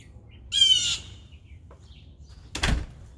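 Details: Blue jay eating peanuts gives a single harsh, buzzy squawk lasting about half a second, rich in stacked overtones. It is followed after a quiet pause by a sharp knock or tap, with low background hum throughout.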